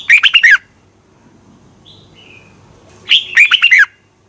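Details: Red-whiskered bulbul singing morning competition song as a decoy: two energetic phrases of five or six quick warbled notes, three seconds apart, with faint high whistles in the gap.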